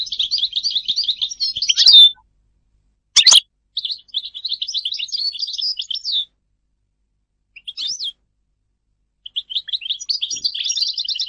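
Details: European goldfinch singing in broken bursts: short runs of fast high twittering separated by silences, with one sharp click-like sound near three seconds.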